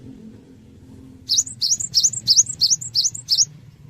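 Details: A cinereous tit sings to prompt other birds to respond: seven quick, evenly spaced high phrases, each a sharp note sliding into a short whistle, over a steady low hum.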